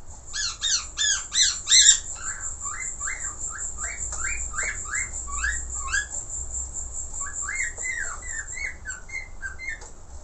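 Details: Pet budgerigar singing a busy, varied warble of quick chirps and rising and falling squeaky notes, louder in the opening two seconds, with a steady high hiss and low hum behind.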